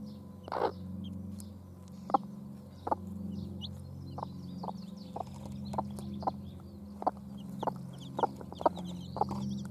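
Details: Domestic chicken hens with their chicks: short, sharp clucks repeat irregularly about once every second, with thin high chick peeps scattered above and a steady low hum underneath.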